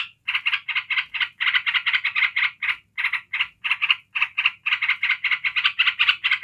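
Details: Yellow-vented bulbul chattering in the unbroken ngebren style that provokes other bulbuls: long strings of quick raspy notes, briefly paused twice, then resuming just as fast.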